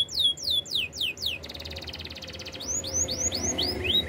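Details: Canary song for training: rapid descending whistled swoops, a pulsed rattling roll, then a run of rising whistled slurs repeated about four times a second.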